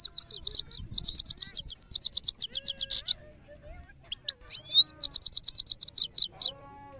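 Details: European goldfinch song of fast, high, tinkling twitters in repeated phrases for three seconds, a quieter gap with a few scattered rising notes, then more quick twittering phrases.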